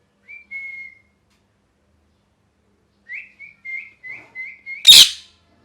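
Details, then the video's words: Angry pet parrot, losing feathers from molt, gives a brief level whistle, then a rapid string of six short chirped notes rising and falling, capped by one loud rough squawk. "Loud Parrot Chirping (Angry Voice)"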